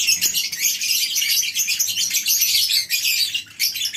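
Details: A flock of lovebirds in a colony aviary on a breeding farm at morning, with continuous high, shrill twittering and squeaking from many birds, fading slightly toward the end.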